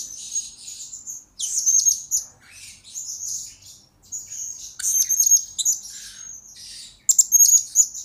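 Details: Blue-crowned hanging parrot kept as a lure bird, recorded as a tutor recording for young lure birds: bursts of shrill, very high sibilant chirps and squeaky trills, clustered in phrases separated by short quiet gaps.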